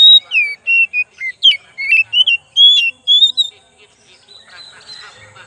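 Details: Oriental magpie-robin lure song: a long varied string of loud whistles, sliding down, rising and warbling, for about three and a half seconds, then soft twittering.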